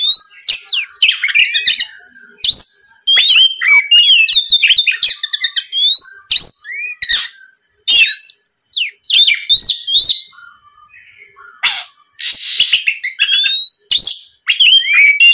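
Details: Oriental magpie-robin singing continuously and loudly, played as a lure to provoke a rival: a long, varied run of sweet whistled slurs, quick chirps and scratchy buzzes, broken by brief pauses between phrases.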